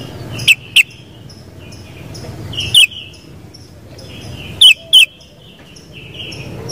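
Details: Sooty-headed bulbul: clear, punchy whistled phrases, often doubled, about every two seconds, with gentle high twittering and light low noise underneath.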